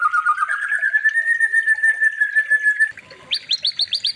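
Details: White-rumped shama song for training: a steadily rising then level whistle sustained for almost three seconds with a fluttering start, followed by a short run of bright upward-flicked notes, evenly repeated.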